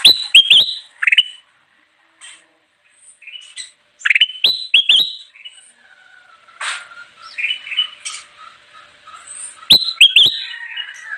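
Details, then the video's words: Kutilang emas (Ruby-throated bulbul) singing strongly, used as a lure for wild birds: repeated phrases of crisp, upward-flicked whistles, with gaps between them, and softer chattering notes in the middle section. "suara burung kutilang emas gacor cocok banget buat pikat"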